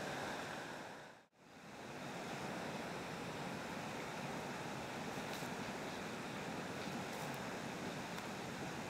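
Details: Dense broadband roar like wind or surf buffeting the microphone after a short dropout, with no animal calls.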